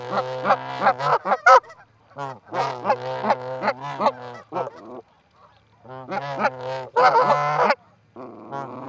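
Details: Canada geese, a pair, at the Charlo osprey nest in Montana on 4-7-18, picked up by a livecam, give bursts of rich, nasal honks in uneven groups separated by short silent gaps.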